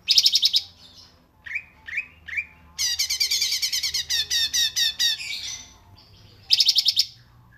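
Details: Cungkok rapat jeda song for cage-bird tutoring: a short burst of rapid notes, three rising squeaky whistles, a long stretch of harsh repeated notes, then another rapid burst.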